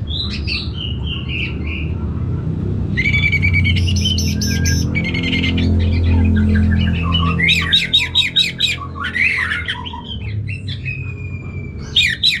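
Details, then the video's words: Kept orange-headed thrush from North Bali, Indonesia, singing hard in answer to a played recording: harsh squawky bursts mixed with sharp whistles and fast, high, ringing note clusters, broken by short pauses, with a low room hum beneath. "Diputarr ANIS MERAH Langsung Gacor Nyaut Joss"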